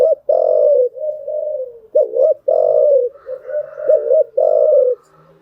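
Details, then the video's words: Lure cooing of a spotted dove for training newly caught birds. Mellow, low coos in a steady series: a quick double note, then a long sustained coo, with a fainter higher hum behind the later phrases. "tiếng chim gáy dùng tập chim bổi mới hiệu quả"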